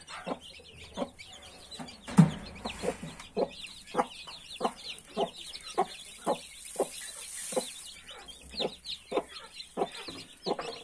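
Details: Mother hen with 31 newly hatched chicks: low, short clucks repeated roughly every half second, over a dense bed of high, thin chick peeps.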